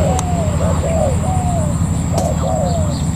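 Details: Wild-caught spotted dove kept as a ground decoy, cooing in short mellow notes, some flat and some sliding down, over a steady low rumble, a constant high whine and a couple of sharp clicks.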